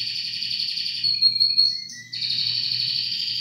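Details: A canary sings a loud continuous high trill, interrupted by brief clear whistled notes at shifting pitches, then returns to the same steady rolling trill.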